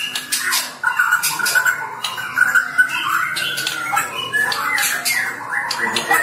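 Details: Magpie-robin in lively, vigorous song: a dense run of harsh squawky notes mixed with short whistled phrases near the same pitch, delivered almost without pause over about six seconds.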